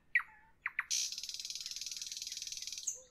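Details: On an evening, a nightingale gives three sharp, slurred notes, then a loud, rapid, buzzy trill of about twenty pulses a second for two seconds, ending on a thin whistle.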